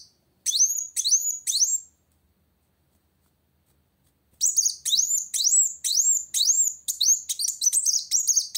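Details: Singing to challenge a rival, a kolibri wulung sunbird gives three high upswept chirps, falls silent for over two seconds, then resumes with a fast, dense series of sharp rising whistled notes.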